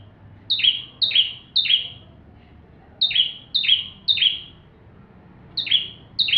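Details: Bar-winged prinia in full song for training white-rumped shamas: three-note bursts of sharp high chips, each sliding into a buzzy downward sweep. Each burst is followed by a pause of about a second.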